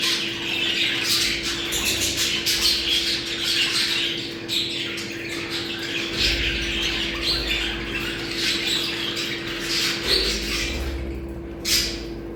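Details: Budgerigar mating sound for stimulating breeding: continuous high, buzzy warbling and chirping from a group of birds, with bursts of harsher squawks and a louder chirp near the end, over a low hum and occasional low thumps.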